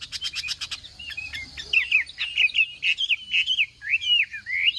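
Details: Chinese hwamei in morning contest singing: opens with a fast burst of sharp clicking notes, then a sequence of rich, looping whistled phrases, each note slurred and repeated about twice a second.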